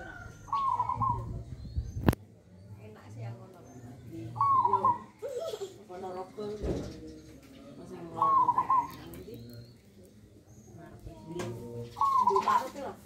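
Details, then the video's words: Tame, hand-reared pet zebra dove about one year old from Nganjuk, singing in the nggayer style with a big, bass-rich voice. Four short warbling coo phrases come about every four seconds, while people talk between them indoors. "Suara Nggayer Burung Perkutut Raja Super Besar dan ngebas"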